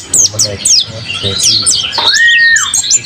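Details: Vigorous mountain white-eye song: sharp, high chirps and slurs, then a long, level whistled note, with low voice-like sounds early on.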